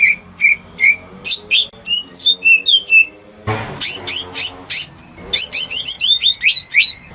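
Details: Home-kept greater green leafbird whose song serves to lure silent birds: evenly spaced whistles, then fast chattering slurs, a loud scuffle, and a resumed run of bright rising notes.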